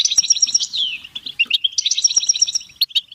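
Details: Fast European goldfinch batbata song used for stimulation: rapid ringing chips about four per second, a descending slurred note, then dense buzzy tinkling trills and sharp twitters packed closely together.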